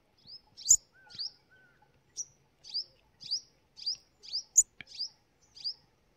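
Sunbird giving thin, high chips repeated about every half second, sharp and slightly downslurred, with a few faint clicks between them.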